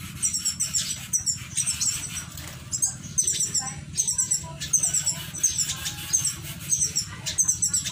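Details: Finches in an aviary in Indramayu, Indonesia, give high, thin, rapid chips and twitters in bursts every half second or so, with a soft low hum and wing rustles beneath.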